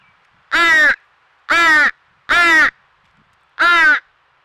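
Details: Persistent begging of a fledgling crow at a Nova Scotia squirrel feeder, Canada: four grating, buzzy caws in an uneven series, about one per second.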